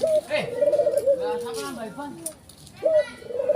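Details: White collared dove with black neck ring cooing: a wavering low phrase easing downward, then a fresh short note and coo begins, while speech overlaps in the background.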